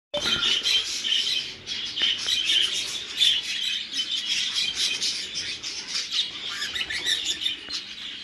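A flock of budgerigars chatters nonstop with bright, scratchy chirps and warbling twitters.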